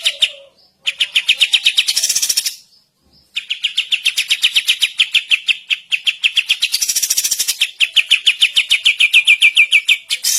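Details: Kapas tembak bulbul singing vigorously, recorded for training other songbirds: long runs of fast, evenly pulsed chattering notes, some series steady in pitch and others climbing slightly. Two brief pauses break the runs, and a low note is heard at the start.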